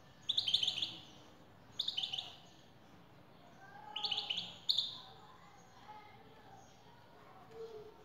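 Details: Male European goldfinch singing in response to a played-back female call: four bursts of bright, tinkling twittered notes, the bursts spaced one to two seconds apart, with quiet gaps between them.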